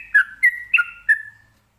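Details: Sooty-headed bulbul (trucukan) in ropelan song, used to prompt other birds to reply: four short whistled phrases with clear sliding notes, then fading out.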